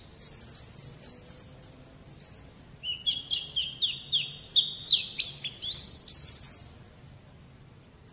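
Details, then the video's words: White-eye song used as a masteran therapy recording to coax a young pleci bakalan into singing: quick, bright, high-pitched chirps and down-slurred notes in fast runs, fading to a few isolated notes at the end. "Terapi Masteran Terbukti Ampuh Mancing Bunyi Pleci Bakalan"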